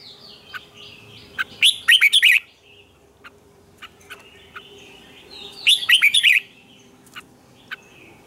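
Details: Red-whiskered bulbul singing a morning training song with a double twisted note: two loud, bubbly whistled phrases about four seconds apart, with soft chirps between them.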